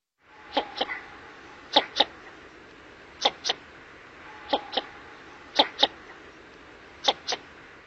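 Northern Shoveler drake giving short, low, knocking calls in close pairs, each pair about every one and a half seconds, with faint background hiss.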